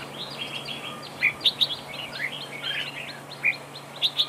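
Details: In a trap duel a red-whiskered bulbul decoy gives a lively run of slurred whistles and chirps, punctuated by several loud, clear piping notes, above a persistent low hum.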